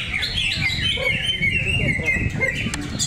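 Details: Greater green leafbird (cocak ijo) singing at a songbird contest arena in Cikeas: a continuous, busy stream of bright warbled and whistled phrases with quick trills, over a steady murmur of crowd noise and other birds.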